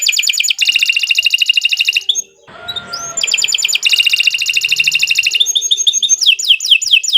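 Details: Canary singing at length, used to get other canaries singing: dense buzzy rolling trills, a short pause, the trill resuming, then a run of falling whistled notes about three per second.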